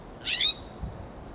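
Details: A California Scrub-Jay perched on a Coast Live Oak branch in Del Monte Forest, California, gives a single harsh, raspy scold lasting about a third of a second; a faint thin whistle and a soft low thump follow.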